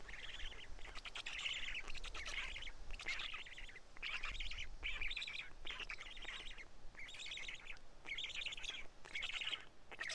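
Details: Karula black stork chicks fed two large fish, 31 May 2017 midday; repeated grating chatter bursts roughly every second over ten seconds, with low-pitched thumping and rumbling in the background.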